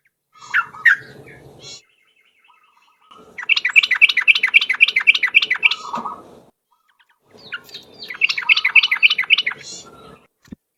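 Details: Long-playing lure song of a yellow-vented bulbul in ropel style: a few opening chirps, then two extended bursts of fast, evenly spaced warbled notes with gaps between them.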